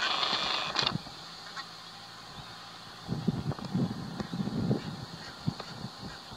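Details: A flock of barnacle geese in Waterland, the Netherlands, May 2020. A noisy burst opens, then a quieter pause before overlapping short honks and yaps resume from about three seconds, over low background rumble.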